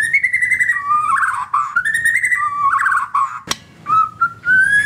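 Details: White-rumped shama (murai batu), played as a prompt to get caged birds to sing: clear whistled phrases alternating high and lower notes, with quick warbled trills between, a sharp click midway, then a rising whistle.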